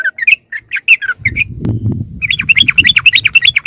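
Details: Yellow-vented bulbul lure call used to draw wild bulbuls closer: quick bursts of chirpy, bubbling notes, a pause filled with low rumbling noise, then a fast run of bright repeated chirps.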